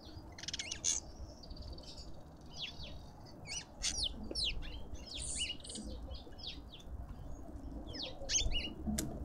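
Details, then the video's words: Lovebirds at a feeder in a suburban garden in Pretoria, South Africa: shrill, high chirps and squeaks in quick, irregular bursts from several birds, over a steady low rumble of background noise. "Lovebirds endlessly"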